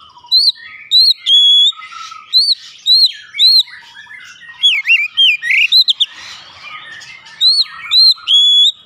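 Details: Oriental magpie-robin singing, played as a lure to stimulate song; clear arched whistles and short sustained tones alternate in steady phrases, with a rapid tumbling sequence midway.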